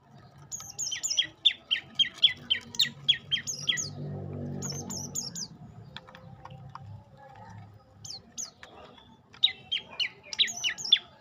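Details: Olive-backed tailorbird delivering bursts of quick, high chipping notes, a long quieter middle with low rumble, then renewed rapid runs of bright, sharp notes.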